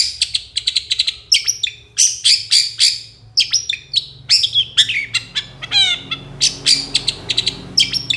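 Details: Long-tailed shrike singing actively in a master recording used to train songbirds, in the 'dor konslet' style: loud, rapid, harsh chirping notes in dense bursts, with a quick run of descending sweeps near the end.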